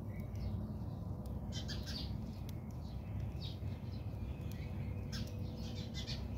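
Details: Several house sparrows squabble in a South African backyard, giving harsh, noisy chirps in quick irregular bunches with brief pauses between, over a persistent deep rumbling noise.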